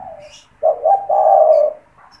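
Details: Spotted dove kept caged as a lure for wild doves, giving one full phrase: two short low notes followed by a long steady husky coo, faint chirping behind.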